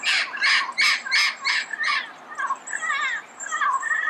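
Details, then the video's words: Red-crowned amazon in Pasadena at early morning, uttering six evenly spaced, rough, loud squawks, followed by softer, wavering chattering notes. "Red-crowned Amazon Bird Sound, Bird Song, Bird Call"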